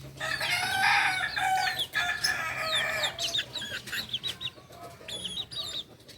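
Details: Kukuak Balenggek rooster from Solok crowing at daybreak, a loud harmonic crow in the opening seconds followed by many sharp chirps and twitters from small birds.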